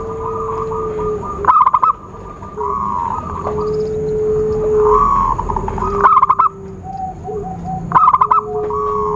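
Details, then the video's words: Zebra dove lure call used for trapping: three bursts of fast, stuttering coo notes at irregular intervals, mixed with long level whistles and a faint constant high whine. "Suara Khusus PIKAT burung Perkutut/Merbuk"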